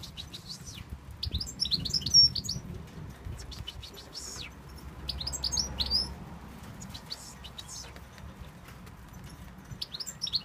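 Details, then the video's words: European goldfinch from Tunisia singing in scattered bursts of thin, high twittering notes and quick chirps separated by short pauses, over a low background rumble. "Chardonneret de la tunisie"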